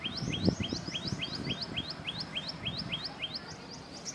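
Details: Common tailorbird, a ubiquitous bird of South and Southeast Asian habitation, repeating loud upward-slurred whistles at a brisk pace, a second bird answering; low rumbling and a brief knock near the start.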